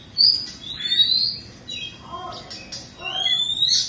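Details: Two-moult Indonesian Oriental magpie-robin, caged, gives clear high rising whistles broken by softer lower warbled notes and a brief scratchy phrase, ending on another long upward whistle.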